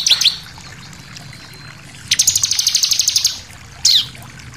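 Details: Bar-winged prinia singing to provoke other birds: a couple of sharp high notes, then a fast buzzy trill of rapid pulses lasting over a second, closing with a single bright note.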